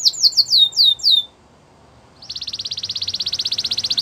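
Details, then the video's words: Canary singing a training song: several quick, loud downward-slurred whistles, about a second of near silence, then a long, even, buzzy trill of rapidly repeated notes that holds steady to the end. "Canary singing in the wild | Canary training"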